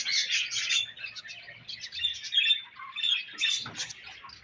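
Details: Budgerigars feeding on their favourite food give a steady, loud run of buzzy, scratchy warbles and short chirps, with brief dips between bursts.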